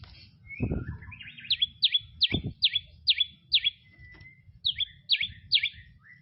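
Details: White-rumped shama singing in tropical forest: a string of short, sharp chirps that sweep down from high pitch, repeated about twice a second, with a few lower notes and soft low background rumbles.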